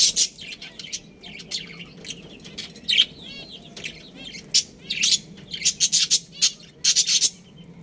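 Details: Several captive budgerigars, a colony with a breeding pair: quick high chirps and squeaky chatter, including a wavering trill midway, then rapid strings of loud chirps.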